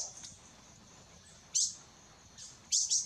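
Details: Azure-shouldered Tanager (Thraupis cyanoptera) at Intervales State Park, Atlantic forest of Brazil, gives a few very high, thin, sharp call notes at uneven intervals, some in quick pairs, over soft hiss.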